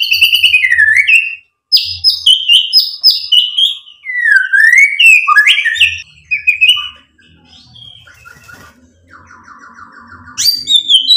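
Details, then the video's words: Varied song of a white-rumped shama, played to rouse other birds to answer: quick whistled phrases and sharp chips, then a softer stretch with a low rattling trill before loud, high notes return. "SUARA MURAI BATU Untuk MENAIKAN EMOSI jadi NYAUT GACOR BONGKAR MATERI ISIAN | PANCINGAN MURAI"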